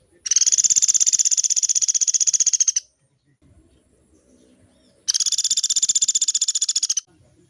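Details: Woodpecker recorded for training caged birds, valued for long rolls: two rapid, high-pitched, rattling trills of about two and a half and two seconds, separated by a quiet gap with faint low background noise.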